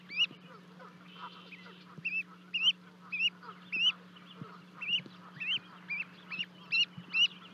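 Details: Canada goose goslings, two of them, leaping off a 30-foot-high nest at Charlo, Montana, 12 May 2020, to reach their parents; clear, high, rising whistled peeps repeat steadily about twice a second over a low constant hum.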